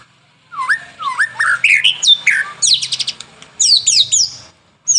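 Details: Varied White-rumped shama song from a lure track for morning and evening: rising whistled slurs repeated in sequence, tumbling into rapid scratchy notes and quick high downward sweeps.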